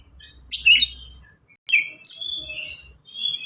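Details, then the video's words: Oriental magpie-robin singing fast and dense, kept as a master bird for untrained birds to imitate: two loud bursts of high whistled downslurs mixed with harsh scratchy notes and a quick rattling trill. "KACER GACOR SPEED RAPAT FULL ISIAN AMPUH UNTUK PANCINGAN BURUNG BAHAN"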